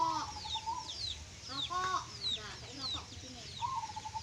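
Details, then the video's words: Local zebra dove of the songgo geni bedah bumi type singing in the klongklung style: a pulsed, rapidly repeated cooing phrase about a second long, heard at the start and again at the end, among many high thin chirps of other birds. "Perkutut songgo geni bedah bumi suara klongklung"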